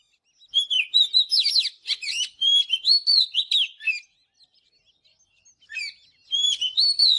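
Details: Morning song of an Oriental magpie-robin, used for song training: fast tumbling whistles and buzzy trills for about three seconds, a quiet gap, then a fresh burst of bright phrases.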